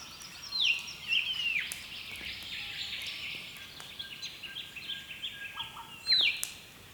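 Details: Wild birds at early morning on the east coast of Australia, recorded with a camera: loud whistled notes sliding downward near the start and again near the end, over a steady background chorus of softer twittering birds.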